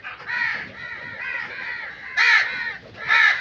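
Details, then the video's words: A run of nearly continuous hoarse crow caws out in nature, about one a second, with two louder, harsher caws standing out near the end. "Crow Sound Effects"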